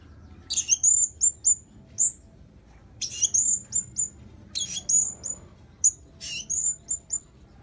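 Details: Lure calls of the blue-crowned hanging parrot: thin, very high squeaky chirps in short clusters of three to five notes, separated by brief pauses, against a quiet low hum.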